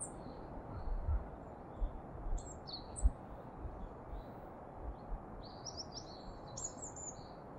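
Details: Daurian redstart calling at Kasai Rinkai Park, Japan, recorded with a Sony ECM-B1M microphone: faint, thin high-pitched whistled notes spaced irregularly, with steady low rumbling background noise and a few soft thuds.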